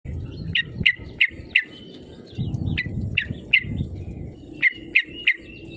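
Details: Yellow-vented bulbul calling, used as a lure to provoke rival birds into singing; sharp, bright chirps repeated irregularly, some in quick pairs, over a steady low rumbling background noise.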